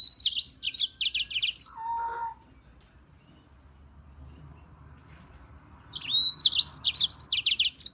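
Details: European serin singing in two bursts of rapid, high, jingling and crackling notes, separated by a short lower buzzy note and a few seconds of near silence with faint background hum.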